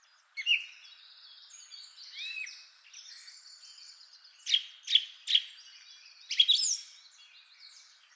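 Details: Song Thrush, the first of three different males, singing a rich song of long, complex phrases: varied whistled and buzzy notes, then a short note repeated three times in a row, each phrase separated by pauses.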